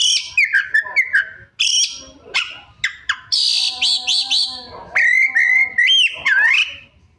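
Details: Kacer, the white-rumped shama, singing mimicry-filled 'isian' song: quick high chirps, slurred whistles dipping and rising, a buzzy squeaky stretch, then steady looping whistles with sharp clicks.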